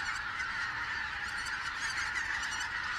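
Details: Greater white-fronted geese newly returned to the region on 16 October 2016, appearing from one day to the next: a dense, continuous chorus of many overlapping high yelping calls from a large flock, with no pauses.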